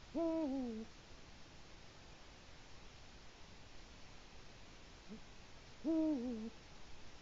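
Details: Autumn territorial calling by a Eurasian eagle-owl at a Latvian nest, evening of 1 October 2017: a deep falling hoot, a faint brief note, then a second hoot nearly six seconds after the first.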